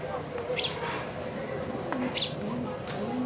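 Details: Sparrow chirping while eating food: two short, high, sharp chirps about one and a half seconds apart, with faint clicks and tapping between them over a steady low background hum.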